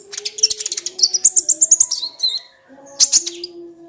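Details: Crimson sunbird song used to prompt a reluctant, quiet sunbird to sing, with fast, high-pitched rattling trills and thin whistled notes, a short pause, then another brief high burst, with a faint low drone behind.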